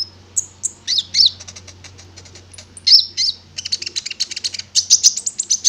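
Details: Prinia, known locally as konin, in a lure recording meant to prompt birds to sing: high, thin chirps and buzzy trills, broken at first, then dense rapid notes in the last two seconds, over a low steady hum.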